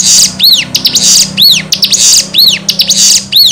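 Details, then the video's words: Lure recording of a Bar-winged Prinia meant to provoke answers: loud, high arched whistled notes repeated about once a second, interleaved with short sharp chips and brief bursts of fast chatter, recorded close-up indoors. "Pancingan Ciblek Gacor Dijamin bikin Ciblek Langsung Nyaut"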